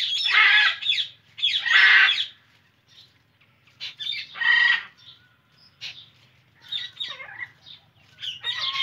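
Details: Indian ringneck parrot calling loudly: broad, raspy screeches in long bursts, followed by shorter chattering notes and thin whistled squeaks after quieter gaps.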